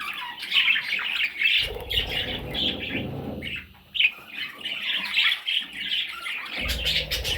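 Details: Several parrot chicks squawk in rough, scratchy bursts, pausing briefly near the middle, while a deep thumping rumble comes and goes in the background.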